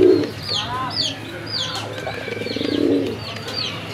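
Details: Local domestic pigeons on a farm in Gazipur, Bangladesh: a short low coo opens, then a longer rolling coo follows near the end, while high twittering chirps and faint voices carry on throughout.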